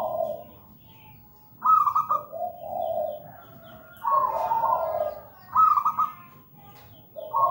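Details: Local zebra dove singing: a run of soft rolling coos, bright trilled notes alternating with lower purrs in phrases roughly every two seconds, faint chirps in the background.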